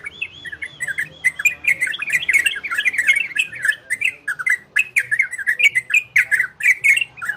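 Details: Ropel and garudo song of an orange-spotted bulbul, aimed at bringing listening birds into breeding condition: opens with a few arched whistled notes, then a rapid, dense bubbling chatter of chirps.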